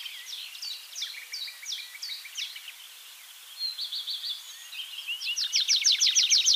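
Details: Tree pipit singing in Bakkum, the Netherlands: a series of repeated high chipping notes, a softer pause, then a fast trilled run of rising notes; other songbirds such as nightingale, willow warbler, chiffchaff and great tit may be present.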